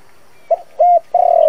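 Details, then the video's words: Fragment of a decoy spotted dove's coo meant to attract wild doves for trapping: a quick low note, a steady held hoot, then the start of a long, slowly falling coo. "Tiếng cu gáy dùng cho loa bẫy, cu gáy mồi cây kích bổi nhanh nổi"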